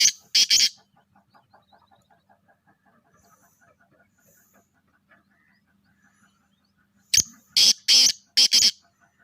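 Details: Black francolin, a pure Charngi strain kala teetar: two loud harsh rasping notes open, then after a quiet stretch with faint chirping in the background a grating phrase of about five rough, buzzy bursts.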